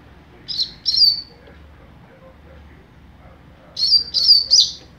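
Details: Young double-collared seedeater giving mateiro song: two clear, high whistled notes, a pause of over two seconds, then a stronger run of three ringing, slightly buzzy notes in quick succession.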